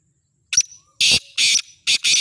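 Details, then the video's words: A black francolin offered for sale calls loudly: one brief clipped note followed by a run of four grating, buzzy blasts, each roughly a quarter second long, with near silence between them. "Kala Teetar Ghangas Full Awaaz"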